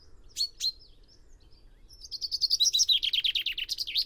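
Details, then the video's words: Song of a common chaffinch (Fringilla coelebs): a couple of sharp introductory notes, a pause, then a fast, accelerating trill of descending notes ending in a brief rising flourish. "O canto do TENTILHÃO-COMUM (FRINGILLA COELEBS)/CHAFFINCH SONG"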